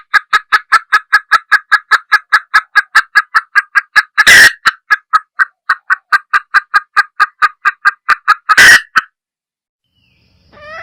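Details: A female junglefowl delivers long trains of rapid, regular clucks, interrupted by two loud harsh outbursts, then the calling stops and quiet follows.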